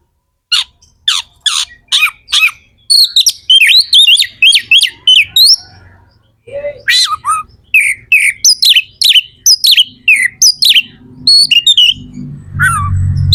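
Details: Captive magpie-robin (kacer) singing to excite other birds into song: series of loud harsh downslurred calls about every half second, then varied whistled phrases, repeated after a pause, with rumbling noise at the end.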